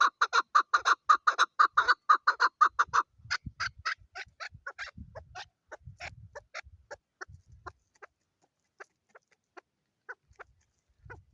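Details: Calling female chukar: a loud, rapid string of hoarse chuck notes for the first few seconds, then slower, thinner clucks trailing off into sparse single notes, with faint low thumps in the background.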